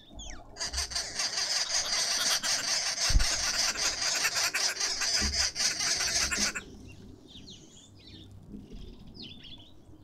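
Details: Green wood hoopoe close up in a suburban garden in Pretoria, South Africa: loud harsh rasping cackle, a dense unbroken chatter lasting about six seconds, then stopping abruptly, leaving faint chirps of other birds.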